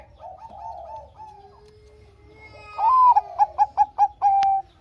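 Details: Bangkok-type zebra dove singing actively, used as a lure to make lazy doves sing: soft low cooing first, then a loud phrase with a rising coo, a quick run of about five clipped notes and a long level final note.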